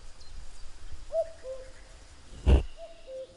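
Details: Two cu-coo calls of a common cuckoo, each a higher note followed by a lower sustained one, interrupted between them by a sharp loud knock or thump.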